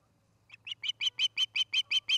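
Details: Osprey at its nest in Charlo, Montana, on an August 2018 evening, caught by a nest camera: about nine sharp, high chirps in an even series, each louder than the last, over a low steady hum.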